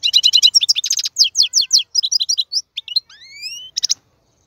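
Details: Tutoring song of a male European goldfinch: lively rapid chirps and trills, then two long rising thin whistles and a final burst of twitters, with no other sound.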